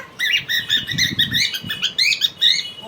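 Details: A pet cockatiel gives a rapid run of bright, high chirps and warbled notes for nearly three seconds while its owner talks to it, the owner's voice a faint low murmur beneath.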